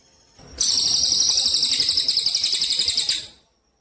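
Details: Contest-training 'kapas tembak' song of a Cililin Eurasian tree sparrow, recorded with pauses: one high-pitched, fast-pulsing buzzy trill of almost three seconds, starting abruptly and ending in quiet.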